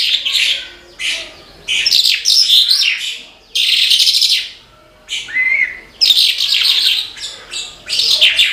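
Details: Branjangan, or Horsfield's bush lark, singing vigorously: bursts of harsh, buzzy high warbling broken by short silences, with one clear, rising whistle around five seconds.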